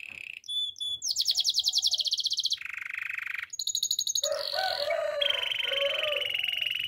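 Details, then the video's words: Yorkshire canary singing a training song: sharp high notes lead into a fast pulsed trill, then a lower rapid rattle, a bright ringing phrase and a warbled tour with a clear sustained whistle at the end. "Yorkshire canary singing! The best canary training song"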